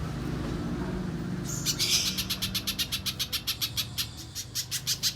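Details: Little spiderhunter singing mbeset style, a master recording for contest training: quiet hum for a second and a half, then a burst of high notes leading into a steady, rapid series of sharp chips.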